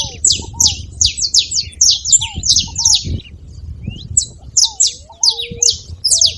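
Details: Saffron finch with a lively song meant to get another canary singing: dense runs of high, sharp downslurred chips, then sparser notes, with thin lower whistled slurs and faint low rumble.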